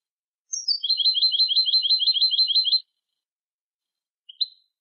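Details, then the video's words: European goldfinch song for teaching young goldfinches: a descending note leads into a rapid, even trill of about a dozen repeated high chirps lasting two seconds, then a single short twitter after a pause. "الشريط الملكي لتسميع فراخ الحسون 2020 - Goldfinch Song - Jilguero Canto"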